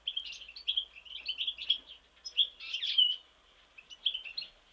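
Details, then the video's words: European goldfinch from Mostar singing a fast, high, twittering song of tinkling chirps and liquid trills, delivered in continuous bursts with short pauses. "Stiglic Mostar ,Goldfinch Chardonneret"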